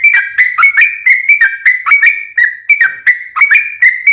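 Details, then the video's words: Sooty-headed bulbul song meant to make another bulbul respond: steady, rapid sequence of bright whistled notes, each dipping then levelling, with no pause. "KICAU SUARA trucukan gacor TARUNG ROPEL PANJANG ampuh MENJADIKAN burung trucuk gacor NYAUT SEKETIKA"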